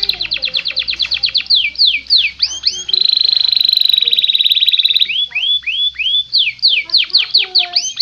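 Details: Canary song used as a master recording, clear: fast series of rising whistled sweeps, a long buzzy trill around the middle, then more looping whistled notes.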